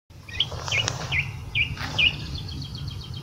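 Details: Song thrush in Portugal giving short, sharp upslurred call notes, five in quick succession about every half second, over a steady low rumble of background noise.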